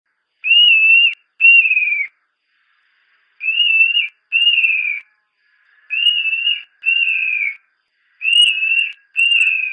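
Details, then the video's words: Montane nightjar (Caprimulgus poliocephalus) giving shrill, pure whistles in pairs, each note level then slurring down, a pair about every two and a half seconds, in a quiet background. "صوت سبد الجبل ملهى الرعيان song Montane Nightjar"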